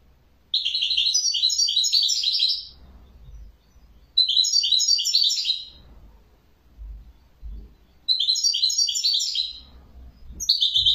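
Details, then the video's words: Repeated bursts of European goldfinch song, three roughly two-second runs of rapid, high, liquid twittering and tinkling notes separated by short pauses, with faint low thuds between them. "تغريد جميل لطائر جميل"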